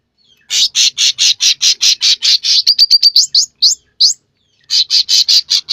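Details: Sooty-headed bulbul singing vigorously: a long run of evenly spaced buzzy notes that speeds into quick rising chirps, pauses, and resumes the buzzy series.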